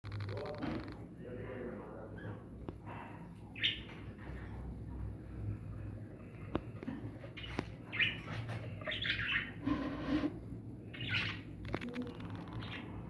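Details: Budgerigar chicks in a nest with eggs give scratchy, high chirps in irregular bursts over a steady low hum.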